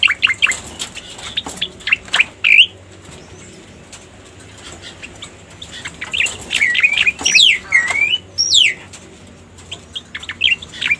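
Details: Pied bushchat lure sound: scattered bursts of sharp chirps and bright rising whistles, separated by quieter gaps, with a few louder swooping notes near the end.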